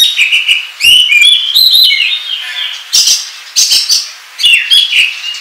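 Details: Oriental magpie-robin in ngobra style for luring: whistled phrases mixed with rapid chattering bursts, separated by short pauses, with loud scratchy notes near the end.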